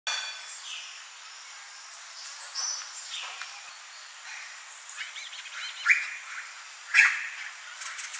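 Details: At Pantiacolla Lodge, Peru, on 5-10-2019, a blue-grey tanager gives thin, high, squeaky notes in a loose series, with two sharper chips near the end over a faint buzz of other birds.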